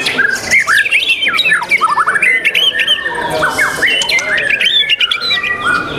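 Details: Contest-singing white-rumped shama, recorded 12 December 2021, pours out quick slurred and chattering notes in varied bursts amid a busy chorus of other competing songbirds.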